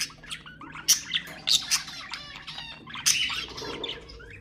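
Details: Chattering warble of a pet budgerigar, played to get other budgies singing: scattered sharp clicks and squeaky chirps, with two louder bursts of harsh notes about two seconds apart.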